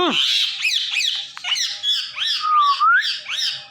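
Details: Indian ringneck parrot calling "Mithu", giving a dense run of loud, harsh, arched squawks repeated about every half second, with one smooth rising whistle near the end.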